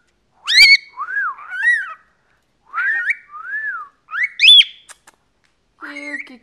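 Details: Pet male cockatiel, 14 years old, a constant chatterer, gives a series of clear whistled notes that rise and fall in arches, some sharply upswept, in short bursts separated by pauses.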